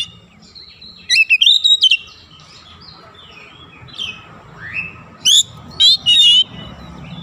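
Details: Oriental magpie-robin lure song meant to trigger singing in other birds: a rapid cluster of sharp rising whistles and chips, a quiet gap with soft warbles, then a second run of bright trilled notes.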